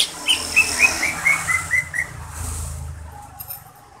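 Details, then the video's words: Greater green leafbird (cucak ijo) daily song from a prize-winning bird: a quick run of about eight clear, high whistled notes, each slightly lower than the last, then one soft lower note. "Suara harian cucak ijo"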